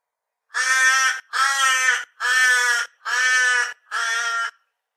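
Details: Torresian crow calling in a steady series of five loud, harsh, drawn-out caws, roughly one every second, in a quiet setting.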